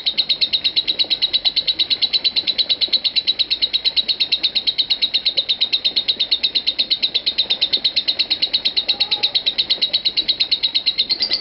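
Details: Unbroken ngekek of a lovebird during a 5 minute 25 second nonstop performance; a steady stream of sharp, high trilled notes repeated at a fast, regular pace throughout.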